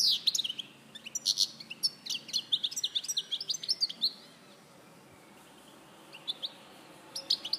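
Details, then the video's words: European goldfinch, Larache, 2014: an energetic four-second run of fast high twittering and tinkling notes, then near silence before a few more chirps return at the end. "Jilguero Larache 2014"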